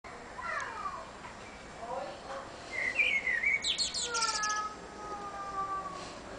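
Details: Common blackbird singing from an antenna on a summer evening in June. Soft, low warbled phrases come first, then a brighter fluting phrase and a high, scratchy twittering flourish, set against steady background hiss.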